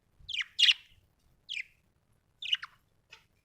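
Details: Budgerigar chirping: short sharp chirps with descending sweeps, spaced about a second apart, ending with a faint click.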